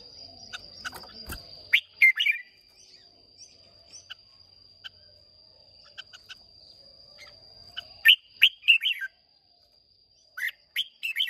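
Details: Red-whiskered bulbul of Hoa Binh origin, wild-caught, contest singing on 30 May 2023; short bursts of quick, liquid warbled notes separated by long pauses, over a constant high-pitched background tone.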